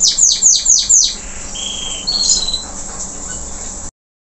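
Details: Local canary singing strongly after its moult: four quick, high descending sweeps in a row, followed by two sustained, flat whistled tones that end abruptly in silence.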